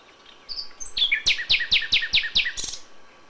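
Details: Dawn song of a common nightingale in May: a couple of rising whistles, then a row of about eight loud, sharply falling notes, evenly spaced and very quick, ending in a harsh buzzy burst.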